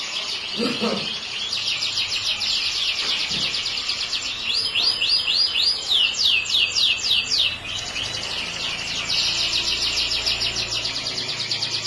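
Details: Yellow canary song: dense, rapid high trills, then a run of quick rising-and-falling swept notes repeated several times, ending in steady rolling chatter; a couple of brief low thuds near the start.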